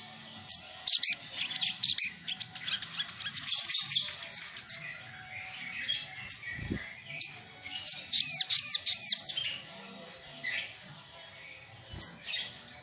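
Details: Sunbird song used as a lure to draw rivals: long, lively stream of high, thin chirps, clicks and twittering phrases with short pauses, plus two soft low thumps.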